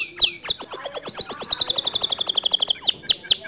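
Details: White male canary singing a long, standard-style song: a fast rolling trill of clipped high notes repeated about four times a second, introduced and closed by sharp rising chirps.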